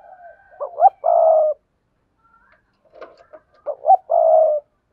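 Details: Spotted dove lure recording mixing sa thúc, gù and gáy styles to provoke wild doves: two coo phrases, each a quick hooked double note then a long low burred coo, separated by a pause with faint soft notes.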